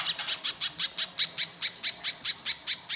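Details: Little spiderhunter giving an energetic lure song: about fourteen crisp, high, slightly buzzy chip notes at a regular pace of roughly four to five per second.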